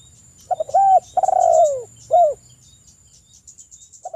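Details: Spotted dove calling a rival, with local male doves answering: one full coo phrase of soft clicks, an arched coo, a long trembling downward coo and a short end note, followed by light high chirping and the start of another coo.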